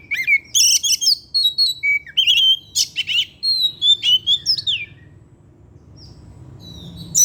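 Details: Oriental magpie-robin in energetic afternoon song, a kept bird singing its learned material. Dense rapid phrases of piercing whistles, chips and buzzy notes come about twice a second, then fade to quiet with a faint whistle near the end.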